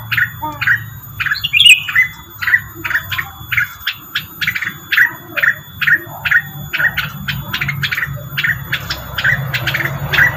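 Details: Rengganis lure call with a squawky flourish early on, then a long run of clipped, evenly spaced chirps, roughly three per second, over a low droning hum.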